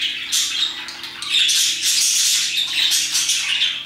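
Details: A group of parakeets at around 2pm chatter continuously. Raspy, buzzy squawks and thin whistled notes overlap in a steady stream that swells after the first second and stays busy to the end.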